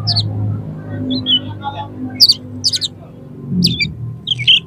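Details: Excited oriental magpie-robin in combative mood, its song used to make other magpie-robins fan their tails: harsh high buzzy bursts and short warbled whistles, with a steady low droning hum underneath.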